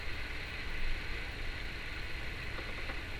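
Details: Constant hiss and low engine-like hum fill the room, with no distinct animal sound.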